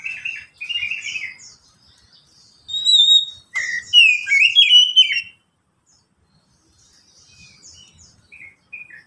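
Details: White-rumped shama song used to prompt other shamas into song: bursts of chattering notes, a pure whistle, then rich warbled phrases with slurred sweeps, followed by a long quiet spell and a few faint notes.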